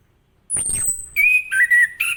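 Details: Orange-headed thrush in morning song aimed at getting other birds to sing: a descending whoosh, then a long level whistle and a falling whistled phrase with a brief buzzy note.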